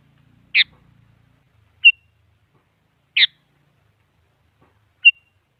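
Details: Sooty-headed bulbul, heard as a rival lure to get a silent bird singing. Single short notes are spaced over a second apart, alternating a harsh burry chirp with a brief clear pip. A faint low rumble sounds at the start.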